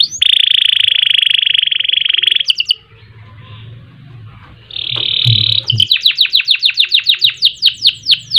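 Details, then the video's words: Singing canary used as a training master: a long sustained buzzy roll, a quieter pause, another short buzz, then a quick series of clear downward-sweeping whistled notes. "Kenari Gacor Panjang Ngerek Ngerol Nembak Mantap Buat Masteran dan Pancingan | Bird Singing"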